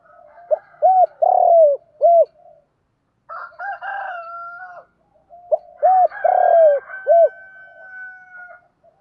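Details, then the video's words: Lure cooing of a spotted dove for coo training: two low phrases of short hooked notes around a drawn-out falling coo, interrupted by a louder harsh crowing-like call with higher tones from another bird. "tiếng chim cu gáy tập bổi nhanh nổi và hiệu quả, tiếng thúc gù, gáy gọi, luyện mồi gáy theo sung mãn"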